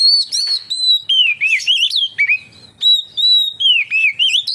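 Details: Oriental magpie-robin, steady singer used as a lure for other magpie-robins: a dense flow of clear whistles, long level notes alternating with fast slurred twists, with barely a break.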